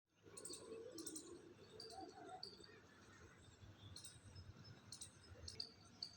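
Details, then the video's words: Birds chirping in a garden beside a fully blooming Madhu kamini shrub: faint, short, high chirps repeated at intervals, with a low background rumble. "nice bird chirping sound"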